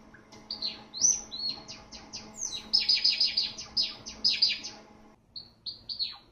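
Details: Java sparrow from a medley of song, contact calls and begging calls: bright chirping notes that speed into a rapid run of repeated bell-like pips, then a pause and a few sweeping, descending chirps over a faint steady hum.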